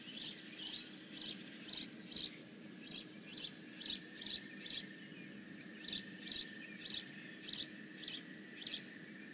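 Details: Series of short high chirp bursts from a bald eagle at the Decorah North nest on 15 May 2017, repeating roughly every half second to second in a fairly even rhythm, over a continuous faint hum.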